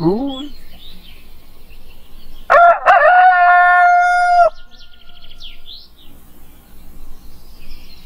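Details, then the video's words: Rooster giving its morning crow, a clear ringing call with two short opening syllables and a long steady held note of about two seconds, then fading to soft bird chirps in the background. "Rooster Crows - For Wake You Up"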